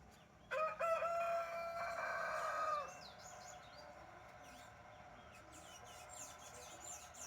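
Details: Brahma rooster crowing in the morning: one loud, harmonic crow lasting over two seconds, held level and then dropping at the end, followed by faint chirping of small birds in the background.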